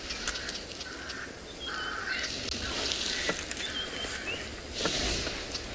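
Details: Red-backed shrike, a non-breeding visitor at Tswalu Kalahari Reserve, South Africa, at sunset on 1 March, gives its common harsh, grating alarm notes in short irregular bursts, with steady background hiss and faint calls of other birds.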